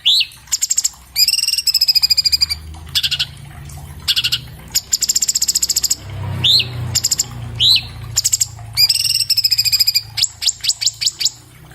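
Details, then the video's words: Cage-kept orange-bellied leafbird (Chloropsis hardwickii) recorded by iPhone 7 Plus as tutor song for other birds: dense, quick rattling trills alternate with short upslurred whistles in a varied, continuous fast phrase sequence; faint low background hum. "MASTERAN BURUNG CUCAK CUNGKOK SPEED RAPAT SUARA JERNIH"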